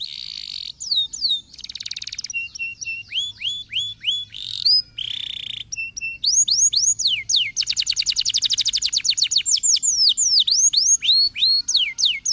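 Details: Canary song aimed at spurring lazy canaries to sing: alternating buzzy rolls and hooked whistled notes, then a long fast trill and rapid looping sweeps, lively and varied throughout.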